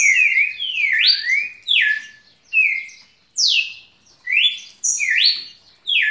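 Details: A pet red-cowled cardinal in a long unbroken song bout, giving bright, ringing whistles that slide steeply down or up, in clipped phrases spaced under a second apart.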